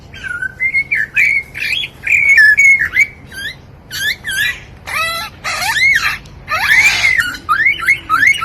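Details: A lyrebird, an Australian ground-dwelling mimic known to copy human and artificial sounds, runs through a varied medley of loud whistled phrases, harsh buzzy bursts and siren-like sweeps, changing every second or so.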